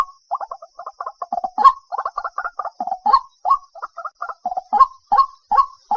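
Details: Night-calling white-breasted waterhen, Vietnam, August: a busy run of stuttering, chattering croaks broken by stronger upslurred kwak notes, with a faint steady high-pitched hum throughout.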